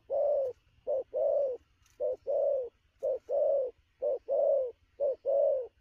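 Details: Recently captured wild spotted dove, energetic at midday, giving quick cooing: a clipped note then a fuller, longer coo, repeated in tight regular pairs roughly once per second.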